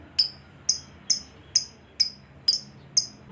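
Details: Lovebird kept as a pet, a recording meant for daily training of pet birds: sharp, very high chips repeated about twice a second in a steady series, over a quiet low room hum.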